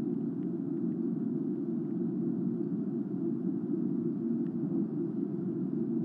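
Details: A steady low hum or rumble persists from start to end, with only a few faint ticks and no animal calls.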